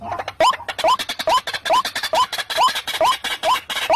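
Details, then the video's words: White-breasted waterhen lure call for trapping: a loud, nasal, upward-sliding note repeated about twice a second in a steady, relentless series, over a scratchy, clipped background. "suara ruak- ruak terbaru kruak_kruak"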